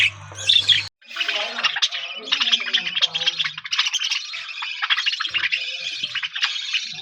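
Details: Budgerigars in an aviary colony, kept caged, playing, singing and eating together: dense warbling chatter with squawks and chirps running almost continuously, a low hum under the opening second.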